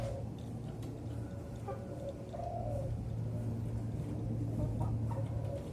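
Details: Young zebra dove, four to five months old, being trained to sing while hoisted on a kerekan pole; soft, low cooing notes come in short broken bursts over a steady low hum.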